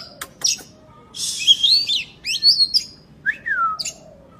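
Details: Energetic oriental magpie-robin song meant to prompt reluctant birds into singing, with high scratchy trills, sweeping whistled notes and a slurred descending whistle in irregular phrases about once a second.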